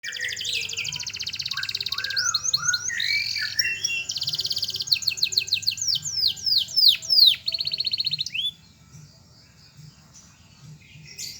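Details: Canary singing a long, rapid, varied song of fast trills, rattles and sweeping high whistles for about eight seconds, then quieting, over a low background hum.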